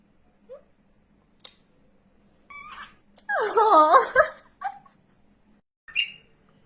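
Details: A pet female cockatiel indoors, which follows her owner around the house, gives short chirps and a longer wavering, warbled call.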